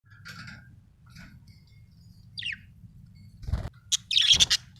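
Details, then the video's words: Budgerigar chirping happily: scattered short chirps and a rising-falling squeaky note, then a loud burst of harsh, chattering warbles near the end, over a low background hum. "happy budgie chirping sound"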